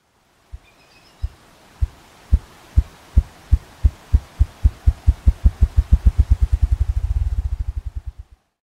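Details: Male Ruffed Grouse drumming on air atop a log, stump or rock in northern forest, spring or fall, early morning or evening: deep, muffled thumps accelerate into a rapid whirring roll over about eight seconds; faint bird chirp at start.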